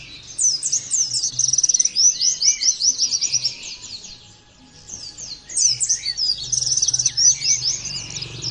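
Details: A training recording meant to set other white-eyes singing loudly. An Oriental white-eye pours out dense, high-pitched chirps in two long bursts, with quick rattling trills and a short pause between them.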